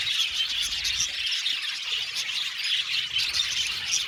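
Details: Aviary of Australian budgies chirping together, a steady babble of overlapping high squeaks, chirps and warbling twitters throughout.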